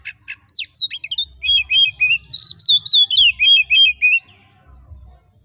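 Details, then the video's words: Oriental magpie-robin (kacer) in ngobra-style master song for group-kept birds: a few sharp chirps, then a steady run of clear whistled notes, about three or four a second, sliding gently downward, with faint low rumble. "Burung Kacer Gacor Ngobra"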